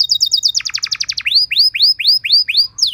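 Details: Canary tutor song used to train other canaries: a fast run of rapid high chirped notes, then a slower series of rising, down-curving whistled notes about every third of a second, ending on a falling note.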